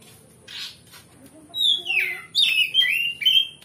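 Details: Oriental magpie-robin singing boldly to stir a rival into fighting: after a soft chirp, a long whistled note swoops downward, followed by bright warbled phrases in quick succession.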